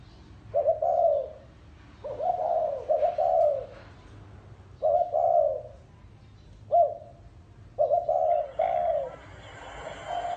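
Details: Cu gáy lối cooing by a spotted dove, soft deep hooting notes in paired and single bursts, roughly seven phrases spread evenly, with a faint rustle toward the end.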